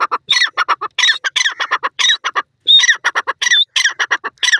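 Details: Grey francolin, or teetar, giving its loud far-carrying call, used to attract partners and defend territory: rapid rasping squawks in dense clusters with short whistled high notes, the phrases repeated with brief pauses between them.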